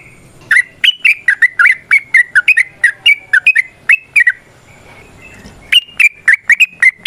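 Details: Sooty-headed bulbul in rapid varied 'ropel' song with 'nrotok' chattering, used as a lure to prompt other bulbuls to sing: loud bubbly chirped notes in quick runs, a pause near five seconds, then another burst.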